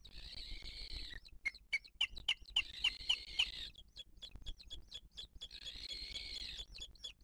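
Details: Booted eagle at its nest in 2023 while the female feeds a chick and other birds attack her; a quick run of short, high, sharp whistled notes, about four a second, between bursts of broad hissing noise.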